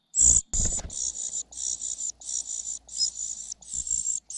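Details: Young parasitic cuckoo begging from its foster parent after repeatedly missing food; one sharp shriek, then a steady run of hissing high notes about twice a second over a faint low hum.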